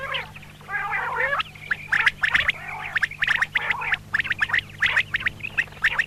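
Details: Female common quail (batair): a gargling harmonic phrase opens, then a fast run of sharp clicking and chattering notes follows, all over a faint steady hum.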